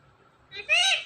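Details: Talking ring-necked parrot saying a two-part word: a soft short opening sound, then a strong, bright, voicelike second syllable rich in overtones, ending quickly.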